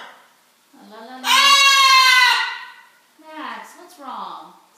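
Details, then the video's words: Pet macaws, a blue and gold and a scarlet, talking indoors while dinner is fixed. One loud, harsh, drawn-out vocal lasts about a second, framed by softer speech-like murmurs. "Macaws talking"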